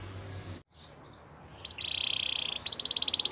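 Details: Canary training song, opening with faint background hiss and brief chirps, then a steady high buzzy tone followed by a rapid, pulsing high trill.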